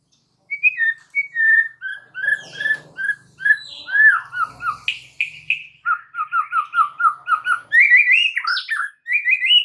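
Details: White-rumped shama singing hard, used to prompt other shamas to respond: a long, varied stream of whistled notes, rapid repeated trills, chattering bursts and rising fluty phrases, with faint low background clatter.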